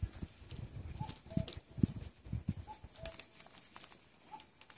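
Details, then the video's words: Woodland in spring 2014 near Ilyeong, where a Common cuckoo gives its falling two-note cu-ckoo three times, with loud low thumps and handling knocks beneath and a faint high thin tone above. "뻐꾸기 소리(The sound of the cuckoo in the woods)"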